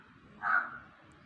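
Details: Crow calling around a house yard: a single harsh, hoarse caw lasting under half a second, rising then falling away, over quiet low background hum.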